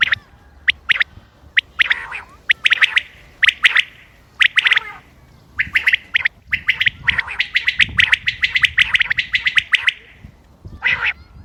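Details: Common quail calling, recorded 28 May 2025 as a hunting lure: crisp, high, clipped notes in short bursts of three or four. The bursts come closer together toward the end, with faint background rustle.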